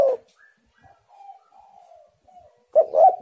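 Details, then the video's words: Spotted dove used as a lure for wild doves: the tail of one low cooing phrase, then soft thin whistled notes, then a fresh phrase of a short hoot and a longer throaty coo. "tekukur super gacor burung Liar pasti emosi"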